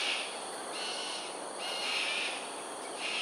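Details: Harsh, grating screeches from cockatoos flying an aerial display at Sungei Ulu Pandan, Singapore, 7.43am, 13 January 2022: about four rough bursts in three seconds, evenly spaced, over constant hiss.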